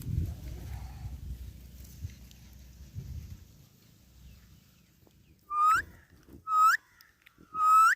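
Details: Ringneck parrot giving three loud, shrill calls about a second apart, each rising sharply at the end, after a stretch of low rumbling background noise.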